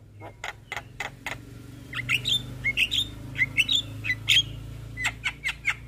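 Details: Javan myna in 'gacor full isian' song, opening with a few evenly spaced harsh rasping notes, then a quicker run of short sharp whistled chirps and squeaks over a steady low background hum.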